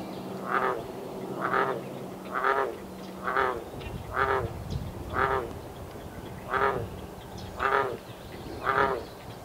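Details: Great blue heron nestlings in a nest in north-central Massachusetts, USA, calling to parents that fly back with fish; rhythmic harsh clacking calls repeated about once per second, with a faint low hum beneath.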